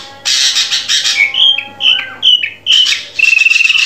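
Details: Drongo singing, a recording meant to train captive birds: harsh buzzy bursts, then a series of short upslurred whistles spaced about half a second apart, closing with rapid rattling chatter.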